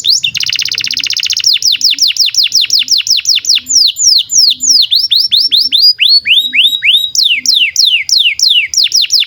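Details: Canary song used as a master track for young canaries and birds that have stopped singing: a short buzzy trill, then long series of rapid downward-sweeping whistled notes repeated about three per second, shifting between phrase types, with faint low background hum.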